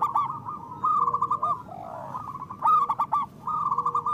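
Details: Loud local zebra doves used to lure and trap birds and to stimulate reluctant ones: two or three voices trade quick rolling coo trills, each burst about half a second, with a fainter low drawn note between phrases.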